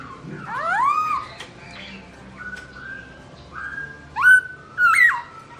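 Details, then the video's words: Black-throated laughingthrush (Garrulax chinensis) singing as its owner is away: a soft rising slurred whistle, quieter chirps and warbles, then two louder sharp whistled notes near the end. "Bird Garrulax chinensis: Birdsong Chirping Melodious When The Owner Is Away"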